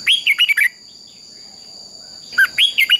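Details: Red-whiskered bulbul fighting song, played to train birds: a lively phrase of rapid slurred whistles, a silent stretch, then another phrase of similar quick notes over a steady high hum.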